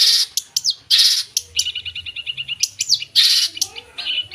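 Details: Energetic full-fill song of a long-tailed shrike (cendet): loud harsh screeching bursts alternating with quick series of clipped high notes and downslurred squeaks.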